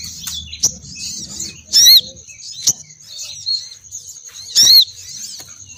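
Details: A female crimson sunbird's luring call, meant to make males fly down. Scattered high ticks and twitters lead to two strong, shrill squeaky bursts near two and four and a half seconds.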